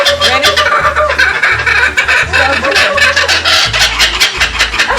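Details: Laughing kookaburras at Bee City Zoo in Cottageville, South Carolina, in summer 2021 give a loud, cackling chorus of rapid, rising and falling chuckles, with a steady low beat of background music underneath.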